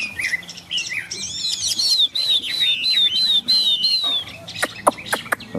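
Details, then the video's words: Tame Chinese hwamei with feathers fanned, singing while rain falls: varied whistles lead into a quick string of high, evenly repeated notes, followed by several crisp clicking sounds. "Họa mi xòe, Thuần đẹp mau mỏ hót hay"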